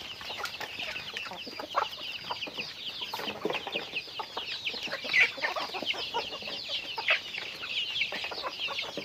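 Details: Chickens during daily activity, keeping up a long, dense chorus of high chirps with occasional louder clucks breaking through around the middle and later on.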